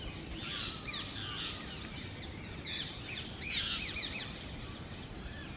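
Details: Wild Indian Ringneck green parakeets, a breeding pair nesting in a hole in a dry branch of an old urban tree; harsh, screechy chattering calls in bursts, over a steady background of environmental noise.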